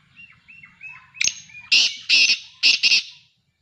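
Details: Black francolin giving a loud, scratchy call of one sharp note followed by paired grating bursts, repeated twice, after a few soft whistled notes from another bird.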